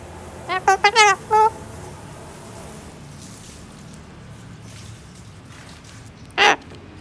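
A yellow-crested cockatoo gives four quick, voice-like talking syllables, then falls quiet for several seconds before one short, harsh screech.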